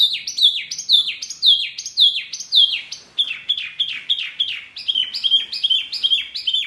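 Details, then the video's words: Birdsong masteran intended to draw replies from caged Murai, Kacer, Cucak ijo or jalak: strong descending whistled phrases repeated about twice a second, shifting into a steadier run of clear, evenly spaced notes. "Masteran burung Murai, Kacer, Cucak ijo, jalak, pasti NYAUTTTTT"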